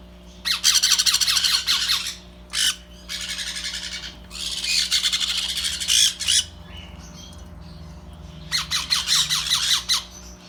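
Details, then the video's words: Baby sun conures that have just begun eating make loud, scratchy squawking in long, dense bursts. There are two extended grating stretches, a quiet gap, then a quick pulsed series at the close. "Our sun conures babies starting eating"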